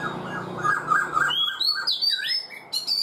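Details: Black-throated laughingthrush in a cage for four months gives rippling mid-pitched warbles, then rising and falling high whistled slurs ending in a sharp burst.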